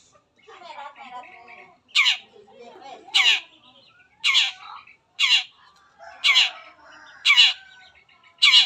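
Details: Long-tailed shrike (cendet) as a lure to prompt other shrikes to sing: loud harsh rasps repeated about once a second over continuous softer chattering and mimicked notes.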